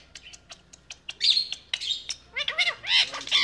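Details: A pet talking rose-ringed parakeet gives a run of sharp clicks and chirps, then a burst of bright, arching, speech-like notes in its high, reedy voice.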